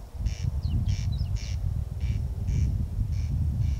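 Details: A corn crake calls at night at 01:35 on 14 June 2021 in Kiili parish: dry, rasping double calls about every half second over a steady low rumble, with a few faint chirps from another bird.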